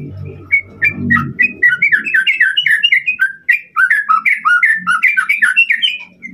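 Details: Rival-provoking white-rumped shama song, a steady stream of loud slurred whistles and short notes, varied and quick, with a brief low rumble at the start and faint low noise later.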